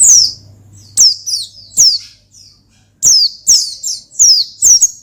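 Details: Oriental white-eye, a caged bird called gacor ngalas, singing to call and provoke a rival: high, thin descending whistled notes in short bursts with pauses between, plus a faint low steady hum underneath.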